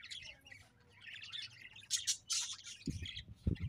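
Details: Busy budgerigar chatter of buzzy, squawky chirps rises to loud bursts near two and two and a half seconds. Low knocking noises come toward the end.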